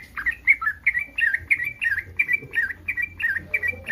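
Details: Breeding-condition yellow-vented bulbul calling to draw replies from other bulbuls, a steady run of rich, gurgling two-part phrases repeated roughly every third of a second over a quiet low hum.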